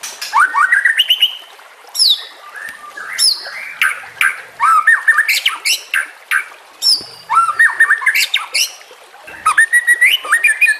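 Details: A White-rumped Shama sings a rich, varied run of rising whistles, slurred notes and harsh chatters, phrases about every second without pause, in a training recording said to include nature sounds and trickling water.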